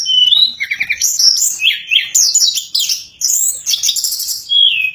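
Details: Sulingan (Tledekan), a bird known for mimicking other birds' notes, sings nonstop in flute-like nyuling style: rapid, clear whistled phrases that slide up and down and crowd together with barely a pause.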